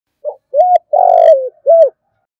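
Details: Spotted dove giving its challenging and calling coos, a fast-responding voice: four low hooting notes, a short one, then a level note, a long rolling throaty coo that drops at the end, and a clean final hoot, with quiet gaps between.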